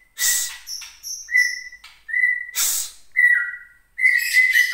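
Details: Caged white-rumped shama from Gunung Leuser, Aceh, giving its angry song after being provoked by bird-contest sounds. Loud level whistles, one dropping in pitch, are interspersed with harsh hissing bursts and high thin notes.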